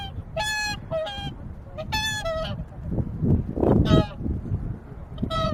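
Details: Swans pausing at Lake Utonai, Hokkaido, utter a few loud resonant honks in pairs, mixed with a louder low rumbling noise in the middle of the recording.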